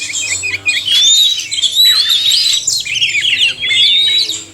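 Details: Oriental magpie-robins, male and female, in a combined song recording used to stimulate caged birds to sing; long clear rising whistles interleaved with scratchy chattering phrases, continuous and loud with a short gap early on.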